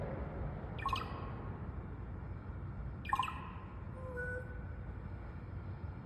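A raven gives two strange, hollow, knocking croaks about two seconds apart, followed by a brief low whistle, over a steady low rumble.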